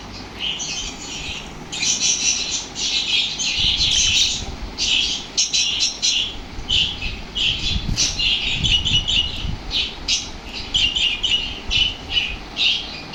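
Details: Lovebirds made energetic by lovebird sounds produce a long, busy run of high squeaky chirps and squawks, tightly packed bursts with a few short pauses and faint low thuds.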